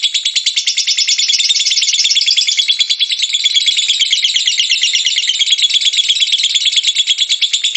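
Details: Lovebird delivering a sustained ngekek song, an unbroken stream of harsh, high, chattering notes in quick succession, loud and constant throughout.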